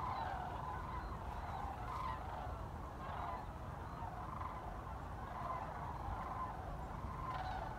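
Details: Sandhill Cranes migrating in large numbers over the Chicago North Shore, December 7, 2016. Rolling, rattling calls come in overlapping waves, somewhat softer here, over constant low background rumble.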